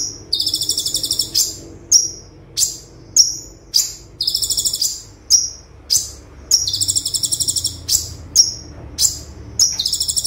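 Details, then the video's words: Olive-backed sunbird singing full tembakan style as a tutor recording: piercing, very high falling chips roughly every half second, broken by several rapid buzzy trill bursts; steady low hum behind. "Konin Tembakan Super Mewah - Konin Gacor Full Tembakan - Masteran Konin Gacor"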